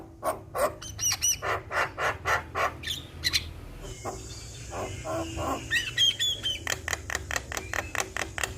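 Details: Javan myna, a prize-winning bird singing steadily, recorded as tutor song for young mynas. Dense, fast clicking and chattering notes repeat at a brisk beat, broken by a hissy stretch and a few sharp whistles near the end.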